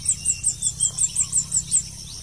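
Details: Blue-crowned hanging parrot recorded during a trapping session in Malaysia: a rapid run of about ten thin, very high chirps, evenly spaced roughly every fifth of a second, over a steady high hiss and low hum.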